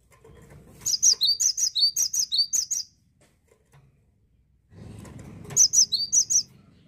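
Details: Cinereous tit, described as now rarely found in gardens, singing a melodious song: two bursts of high, sharp paired notes alternating between higher and lower pitch, about ten notes in the first burst, with a quiet gap between them.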